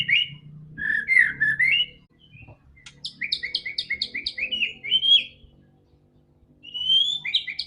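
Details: White-rumped shama song used to make a quiet bird sing: warbled whistles, then a series of rhythmic paired chip notes and a final rising whistled phrase, faint low hum beneath.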